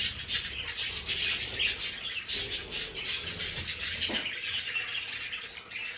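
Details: Pet budgerigars in their home play area, a dense flock chatter of scratchy warbling notes and chirps high in pitch, steady throughout with overlapping voices.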